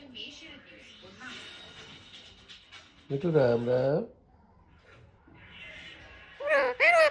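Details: Talking parrot producing a harmonic, speech-like phrase of about one second, curving in pitch, then a sharp squeaky burst near the end; faint background music and voices in between.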